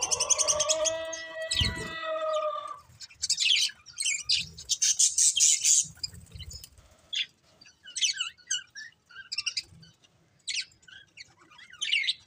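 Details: A breeding pair of colourful budgerigars chatters. A loud harmonic warble opens, followed by bursts of very high, scratchy chirps repeated in uneven clusters, several per second.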